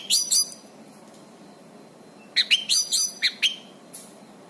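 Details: Orange-banded thrush singing, used to train other birds: two quick high chirps, a two-second pause, then a rapid string of sharp, bright whistled and chirped notes ending in one soft note.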